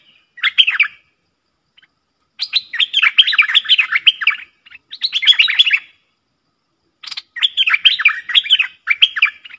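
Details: A pair of streak-eared bulbuls dueling hard in song, 30 October 2021: four bubbling bursts of rapid, slurred chirps, each lasting one to two seconds, separated by short silences.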